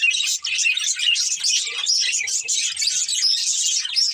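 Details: Budgerigars, a breeding pair, keep up busy high-pitched twittering, a constant warbled chatter of rapid chirps and short whistled notes with only a momentary lull near the start.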